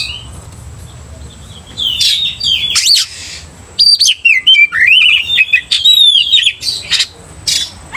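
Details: After a quiet start, an Oriental magpie-robin bursts into provocative song: sharp upslurred whistles, fluttering warbles and a run of short clipped notes, against a faint steady high hiss.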